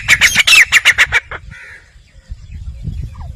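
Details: Grey francolin giving a brief burst of rapid, harsh, ringing notes, about seven in quick succession, stopping abruptly and followed by quiet, faint rustling background noise.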